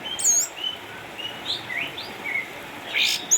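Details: Soft, spaced whistled phrases and slurred upward notes from a caged orange-headed thrush in Sukabumi, an eight-year-old former champion retired home with cataracts, with a few sharp high squeaks at the start and end.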